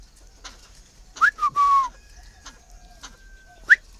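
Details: Captive, hand-tame Chinese francolin calling: an abrupt rising note and a sustained steady whistle, a second rising note near the end, with background knocking and clicks.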